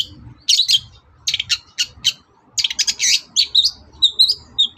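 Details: Long-tailed shrike singing in the morning to make other birds answer: clusters of scratchy, stuttering high notes, then brief whistled slurred phrases toward the end, with soft low background noise.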